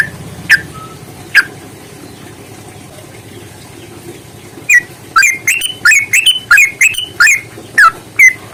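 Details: Yellow-vented bulbul fighting song used as a lure. Two isolated sharp notes are followed by quiet, then a lively run of bubbly, slurred whistled notes about two per second.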